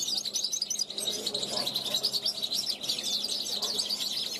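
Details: European goldfinch fledgling from 2021 on a balcony, calling toward passing wild goldfinches: dense, fast, high-pitched twitter of tinkling notes and short trills, unbroken for the whole stretch.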